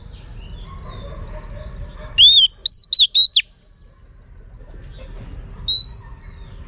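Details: Oriental magpie-robin female calling to rouse males: one ringing five-note whistled phrase, slurred and then staccato. Later comes a single long rising whistle, with soft distant bird notes and a low rumble behind.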